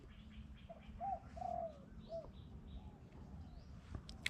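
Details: A distant Spotted Dove in deep mountain forest on a hot, sunny day, heard during decoy-dove trapping with wild birds calling far off, gives a few soft, hollow coos over about two seconds amid faint high chirps and steady hiss.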